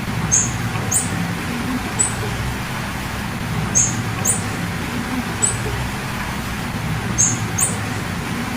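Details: Repeated high, thin chirps from a female blue-black grassquit, often in quick pairs, about eight notes in irregular sequence against constant low traffic noise.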